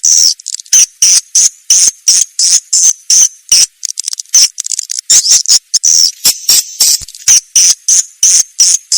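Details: Swiftlet calls shared for Indonesian swiftlet farmers: high, buzzy twittered bursts repeated in quick uneven pulses, nearly three per second, shrill and insistent throughout.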